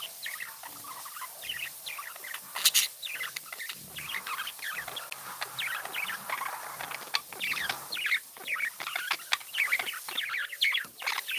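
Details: Several happy pet budgies chattering nonstop, a dense stream of quick squeaky chirps and warbles with a sharp click burst near the third second.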